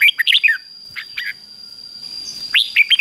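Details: A red-whiskered bulbul gives the 'ché' fighting song used to excite males. Bright, slurred, whistled phrases open and close the passage, with scattered softer notes and a hissy gap in the middle.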